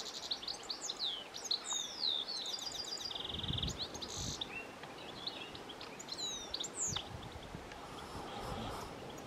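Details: Goldfinch calling in Brandon: high twittering calls, swept chirps and a short buzzy trill, scattered through a busy outdoor background with some low rumbling noise.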